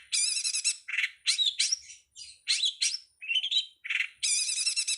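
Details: Cowet singing on a master recording for songbird training: rapid buzzy rattling trills alternate with squeaky, slurred phrases and lower harsh notes, delivered in close bursts with brief gaps; clean, quiet background.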